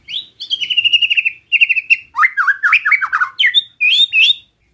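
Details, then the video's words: White-rumped shama giving relaxed besetan song meant to rile other shamas: a rapid trill of bright notes sliding slowly downward, then choppy lower phrases and high whistled upslurs, clean background. "Suara Besetan Santai Mancing Emosi Murai Lain | PANCINGAN MURAI BATU"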